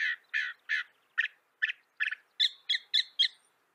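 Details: Northern mockingbird of North America giving a short series of harsh, raspy notes at a steady pace, followed by four higher, clearer chirps in quick succession.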